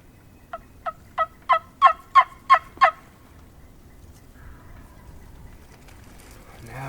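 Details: A wild turkey tom on high ground during spring 2019 turkey season, on a Monday morning, gobbles repeatedly, fired up: a fast, throaty rattle of about eight pulses over 2.5 seconds, swelling in loudness, then faint rustling.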